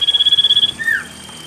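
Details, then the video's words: Song of a common iora, played to coax lazy birds into singing; a fast, buzzy, evenly pulsed trill lasting under a second, then a single lower note sliding downward, over faint steady background hiss. "Pancingan cipoh malas bunyi"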